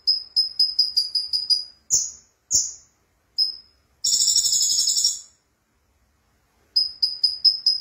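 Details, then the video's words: Konin (sunbird) singing vigorously, recorded as training material for champion songbirds: rapid high thin chips repeated about five per second, a pair of downslurred whistles, then a dense buzzy trill lasting a second, then the chips resume. "Kicau Burung Konin Gacor"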